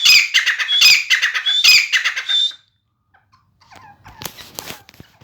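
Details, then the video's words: Grey francolin, known as Sindhi teetar, a caged bird offered for trade, giving three loud harsh repeated call phrases about a second apart with whistled notes, then a quiet pause and faint rustling. "Aik mint ki 270 awaz + chakri wala teetar"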